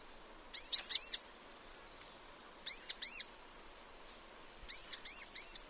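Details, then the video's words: Sunbird singing in natural habitat, giving short bursts of three or four high, sharply arched chirps, each burst separated by about a second and a half of quiet background. "Sunbird Singing Sounds"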